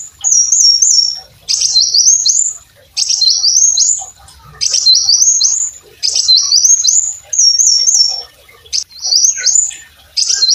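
Brown-throated sunbird singing: very high, thin phrases of rapid trills and rising sweeps, repeated about every one and a half seconds with brief pauses.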